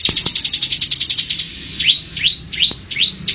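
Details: Bar-winged prinia song for training cage birds: a burst of rapid high chips gives way to four spaced, upslurred whistled notes, each sweeping upward, then chipping begins again.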